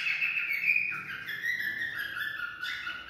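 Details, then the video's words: Cockatiel song for stimulating mating: continuous bright whistling that wavers and steps down in pitch, then rises again near the end, with a faint room background. "Cocktail stimulating sounds for mating"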